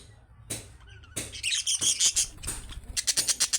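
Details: Budgerigar chick calling chirps for a caged pet to answer: a few scattered clicks, then a loud burst of high, squeaky chatter and rapid twittering notes growing denser toward the end.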